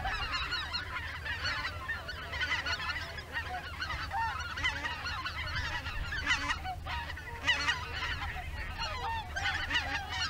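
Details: A flock of greater white-fronted geese flying in formation near Izunuma, Miyagi, Japan, before dusk, apparently heading out to feed again, calls continuously overhead: dense overlapping high, squeaky yelping honks over low wind rumble.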